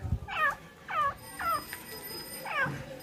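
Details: Female francolin, said to be tamed, giving four looping notes spaced about half a second apart, with a thin high whine and a low thump.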